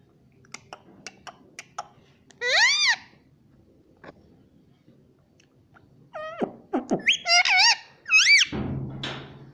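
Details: Pet rose-ringed parakeet imitating "mummy" indoors: light ticks, then a nasal two-part call, a quiet stretch, and a burst of rapid squawky, bending syllables ending in a muffled thump.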